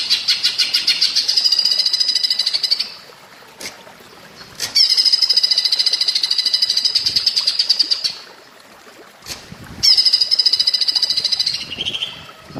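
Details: Grey-crowned green bulbul song in a woodpecker-like style, used as a training recording for other birds: high, rapid rattling trills lasting about three seconds each, repeated three times with short pauses between, over a steady background of running water.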